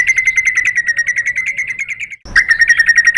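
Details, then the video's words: White-rumped shama lure sound for provoking other birds: a steady rapid pulsed trill on one pitch, about three notes a second-fraction apart, briefly cut then resumed. "MURAI BATU Langsung NYAMBER EMOSI BONGKAR MATERI ¦ PANCINGAN MURAI ¦ SHAMA BIRD"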